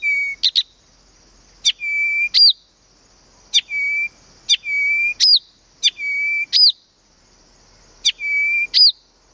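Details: A Blyth's reed warbler sings at Planta, Podlaskie Voivodeship, Poland. One phrase repeats four times, about every two seconds: a couple of dry clicks, a steady mid-pitched whistle, then a note that swoops up and falls.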